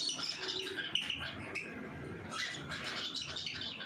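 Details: Cockatiels at feeding time, giving a dense stream of bright, high chirps and squeaky calls that overlap almost without pause, with scratchy, rustling background noise throughout.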